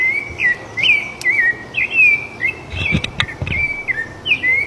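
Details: Rufous-bellied thrush singing free in nature, a steady stream of clear whistled phrases, short slurred notes rising and falling around one pitch, delivered one after another with brief gaps, a few sharp clicks and low rumbles behind.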